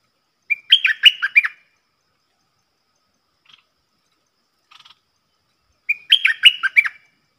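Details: Puff-backed Bulbul in the wild answering a caged lure bird's song. Two loud, rich, warbled phrases about five seconds apart, each about a second long with quick up-and-down slurs, and faint soft notes between them.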